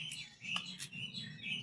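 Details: Pet bird chirping while being fed by its owner; a quick run of high, thin chirps repeated several times within under two seconds, with a low hum underneath.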